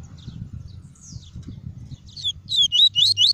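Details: Caged double-collared seedeater, tuí tuí song for stimulating birds and tutoring chicks: soft scattered high notes give way to a loud closing run of four or five sharp, rising, whistled notes, over low rumbling noise.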